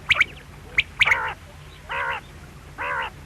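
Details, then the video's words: Sharp quail notes at the start, followed by three longer, nasal, drawn-out calls about a second apart, all over a low background drone. "Quail sound|Batair ki awaz|bedana ovozi|бөдөнө үнү|перепелиный звук|بٹیر کی آواز"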